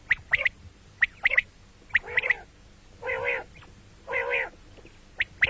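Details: Common quail calls for morning and night: quick triplets of clipped high notes, then two drawn-out, mewing, harmonic squawks before the sharp triplets resume.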